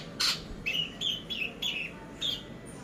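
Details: Long-tailed shrike, called cendet, as a training lure: a few short whistled notes, each falling or level, spaced about half a second apart over a quiet background.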